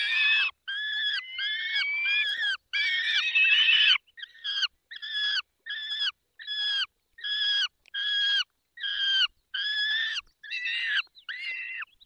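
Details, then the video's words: Peregrine falcon at feeding time, Barycz Valley, Poland, 20 May 2021, 10:22: a long sequence of whining, wavering screams, first run together, then separated into distinct calls spaced under a second apart. "Karmienie 10:22 Dolina Baryczy 20 05 2021 sokół wędrowny"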